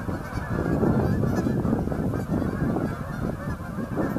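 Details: Hundreds of Canada geese gathered on Boegel Pond on November 30, 2012, producing a dense, continuous chorus of overlapping low honks with no gaps, individual calls blurring into a steady rumbling clamour throughout.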